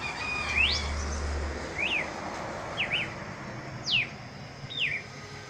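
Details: Songbird calling with short, clear whistled slurs, some rising and some falling, spaced about a second apart, over steady background hiss and a brief low rumble.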